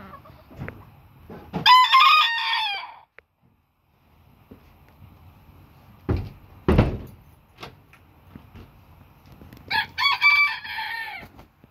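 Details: A Booted Bantam rooster crows twice, each a strained, raspy call that rises and then sags at the end. Loud thumps and handling noises come between the crows.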